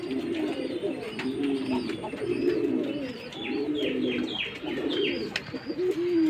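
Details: Jacobin pigeons calling, with low rolling coos repeated over and over and overlapping, plus scattered higher chirps from other birds and occasional clicks in the background.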